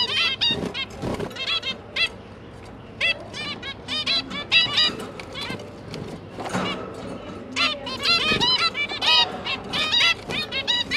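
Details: Parent zebra finches feeding three new juveniles, 5 September 2022; rapid runs of bright, nasal toy-trumpet beeps from several birds, clustered in busy volleys with brief pauses, low background hum throughout.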